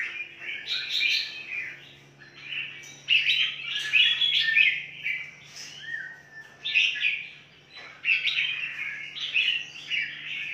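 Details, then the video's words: From a large breeding aviary of red-whiskered bulbuls in Phetchaburi province, a rich run of warbled, chattering phrases with one clear downward-slurred whistle midway, over a low steady hum. "KANDANG PENANGKARAN BURUNG MERBAH JAMBUL KUTILANG JAMBUL TERBESAR"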